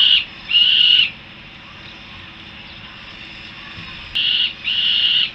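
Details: Returning young Peregrine falcons at a Harrisburg, USA nest: a pair of harsh wailing notes, then a three-second lull, then another pair of similar calls.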